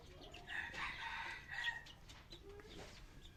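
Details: A red junglefowl gives a strained, banded crow lasting just over a second, followed by a short quieter second phrase and a low faint note over steady background hiss.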